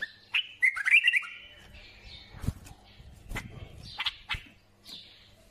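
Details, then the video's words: A quick warbled bulbul phrase of bright slurred whistles is followed by scattered sharp knocks and clicks and a few softer high chirps. "سمع بلابيلك وشوف تغريد بلابل ابن بغداد"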